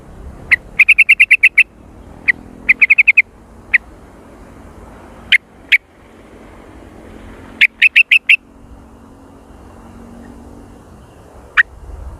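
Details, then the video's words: Sooty-headed bulbul lure call of the active, noisy jontrot type: scattered single chirps mixed with quick clusters of four to six notes spread across a long stretch, with a faint steady hum behind. "Suara pikat Burung Kutilang Dengan Jontrot super aktif dan berisik"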